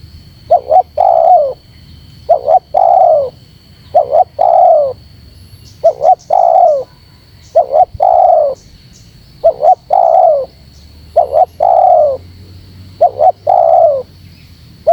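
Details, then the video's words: Repeated spotted dove lure call to make birds gather: about nine phrases, each a quick double note leading into a long coo, recurring roughly every one and a half seconds. A steady high whine is faintly present. "MP3 Suara TERKUKUR GACOR ‼️semua burung pada ngumpul"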